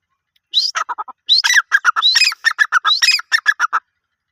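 Grey francolin giving loud, harsh phrases: a rising squeal followed by a quick run of grating notes, repeated three times in four seconds. No other sounds.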